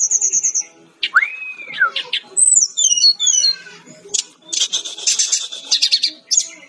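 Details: Brown-chested jungle flycatcher in lively song: rapid high trilled notes, a long swooping whistle that rises then falls, a descending series of clear whistles, then a dense burst of harsh, buzzy chattering.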